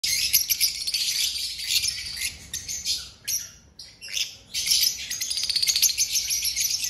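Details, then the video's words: Many aviary birds in Rawalpindi chirping together, a dense high-pitched chorus of rapid tweets and trills with a short lull midway before the busy twittering resumes. "Happy birds chirping"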